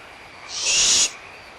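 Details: Young barn owls squabbling over a leftover meal at Audubon Starr Ranch Sanctuary, mother in the vicinity: a single strong, breathy, hissing screech of about half a second, rising slightly in loudness before stopping abruptly.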